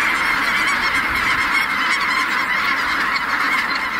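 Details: Loud, dense honking from a great flock of snow geese taking flight at Merced NWF, with the many voices steady and overlapping throughout.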